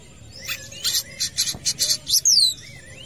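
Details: At a football field, a long-tailed shrike delivers harsh, rasping chattered bursts in quick succession, then a sharp, high descending whistle and a soft rising note at the close.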